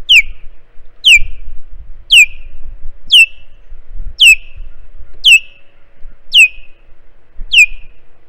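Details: Wild osprey at its nest on Hog Island, filmed by a live nest camera while the nestlings wait for a breakfast fish: eight sharp, downward-slurred whistled chirps, about one a second, with faint low rumbling underneath.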